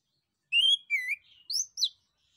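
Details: Male orange-headed thrush singing a lively lure song meant to make other thrushes and birds answer: a rising-then-falling whistle, a lower slurred whistle, then two quick high downslurred notes, all clear over a quiet background.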